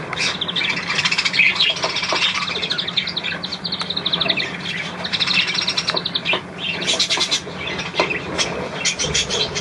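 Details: Three little budgerigars, 10 March 2013, chattering together. Rapid twittering chirps and buzzy warbles run without pause, with higher clicking notes layered through the nonstop overlapping chatter.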